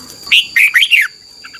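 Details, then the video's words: Red-whiskered bulbul from Thailand, song for training young birds: one short phrase of four loud, slurred whistles rising and falling, then two faint chirps, over a thin steady high tone. "นกกรงหัวจุก, 30 นาทีทุกเช้า เพื่อให้นกเรียนรู้ที่จะพูดได้อย่างรวดเร็วและหนักแน่น"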